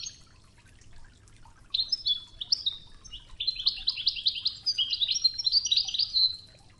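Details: European goldfinch, Toughza song in the Oued style for teaching young birds, with river water; after a quiet start, twittering phrases build into a fast, dense trilled run.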